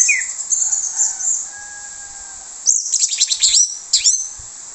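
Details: Orange-headed thrush, plong bongkar usian lure song for attracting other thrushes: a high warbled opening with faint sustained whistles, then a rapid series of sharp, falling, rattling notes.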